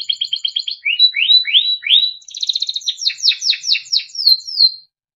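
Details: Timbrado canary, a small yellow bird, singing for training: a rapid pulsed trill, then slow rising slurred whistles, then a buzzy roll and a series of falling swoops before falling silent.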